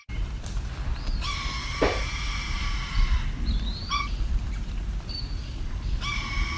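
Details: A breeding female Red-tailed × Red-shouldered Hawk hybrid gives a long, steady, harmonic scream, then short clipped notes and another drawn-out cry, over heavy low rumble; it sounds like neither parent species.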